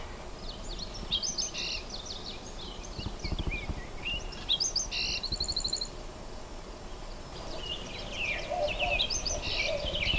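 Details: Botteri's Sparrow singing from mesquite flats near Madera Canyon on the way up to Box Canyon, southeast Arizona, in July, morning: high chips and sweet notes ending in a quick accelerating bouncing-ball trill, over steady rumbling background noise.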